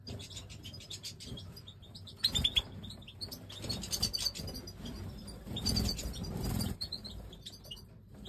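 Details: Liquid high twittering from a European goldfinch of the Major form with pied white head, dense chirps and tinkling notes in two busy bursts, accompanied by rustling and low rumbling noise.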